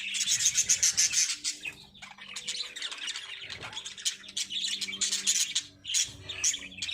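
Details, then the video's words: Breeding lovebirds calling loudly in rapid, harsh, high squawks and chatter, nearly continuous, with several overlapping birds and a low background hum. "Love Birds Singing | Love Birds Breeding"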